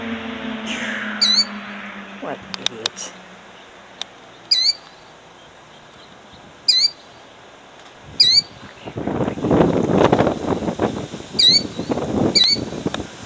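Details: Killdeer in Jackson, New Jersey, 2008, defending her eggs: sharp, high, descending cries come every one to three seconds, while rustling, clattering handling noise and faint voices build up toward the end.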